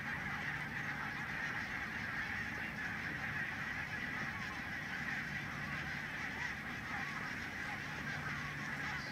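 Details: Enormous flock of barnacle geese by the Nijkerk steam pumping station, Netherlands, where the non-migratory breeding population is growing: continuous massed honking and yapping from many birds, evenly loud throughout, over a faint low hum.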